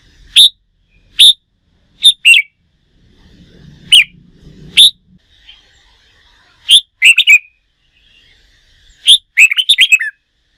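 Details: Red-whiskered bulbul in contest song training: repeated loud, sharp single notes spaced a second or so apart, interspersed with brief double notes and quick warbled phrases, ending in a rapid bubbling run.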